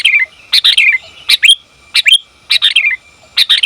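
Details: Female sooty-headed bulbul calling to the male, used as a lure and training call for bulbuls; uneven bursts of bright chirpy notes, each quickly stuttered then falling away, about six bursts in under four seconds, clean background.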